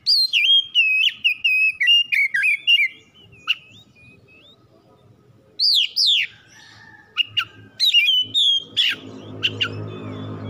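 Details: Oriental magpie-robin kept at home, song meant to spark singing: a fast series of sweet whistled notes and sharp chirps, a pause, then rising slurs and rapid chips, ending over a low rumbling background noise.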